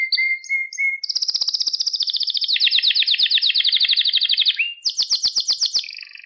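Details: Pet canary song recorded for training young canaries to sing: clear whistled notes give way to long, fast, even trills that shift pitch, then a buzzy rolling tour and a lower trill, with no other sounds.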